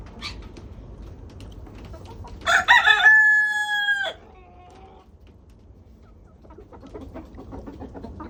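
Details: On a homestead during a 20-degree warmup to 37 degrees, a rooster gives one loud crow, a short choppy start followed by a long steady held note that ends abruptly. Soft clucking follows against a quiet background.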